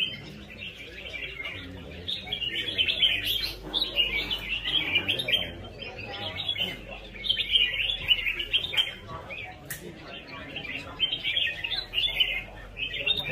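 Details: A red-whiskered bulbul sings in competition against a rival, giving bright, bubbly warbled phrases repeated steadily and rhythmically with hardly a pause, with faint voices in the background.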